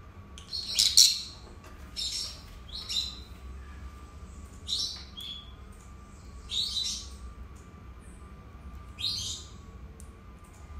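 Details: Pet lovebirds, a pair, calling indoors: spaced, rasping high chirps every one to two seconds, softer and more distant, with a low steady hum underneath.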